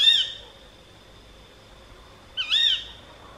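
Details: A female tawny owl gives two shrill, high, rising-then-falling 'ke-wick' calls about two seconds apart against a quiet night background, near Gythio in the Peloponnese, Greece.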